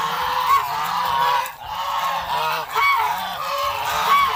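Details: A flock of farm geese in Asia producing a dense, continuous chorus of overlapping nasal honks with no pauses, loud throughout, with a few brief dips in volume.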